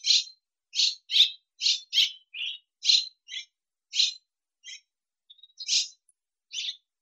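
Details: Swallow from Russia giving a series of separate short chirps and twitters, spaced roughly every half second to a second, with a thin whistled note near the end; no other sounds audible.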